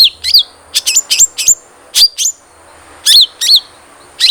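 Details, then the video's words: Long-tailed shrike lure song to get a captive bird singing: paired and grouped high notes, each with a curling, whistled downward hook, in irregular clusters separated by short pauses. "Pancingan Cendet Trotol Agar Cepat Bunyi"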